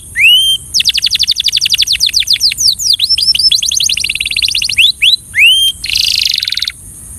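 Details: Belgian canary song used for training birds, opening with a rising whistle, then long rapid trills of clipped high notes, a few upslurred whistles, and a harsh buzzy rattle near the end over steady background hiss.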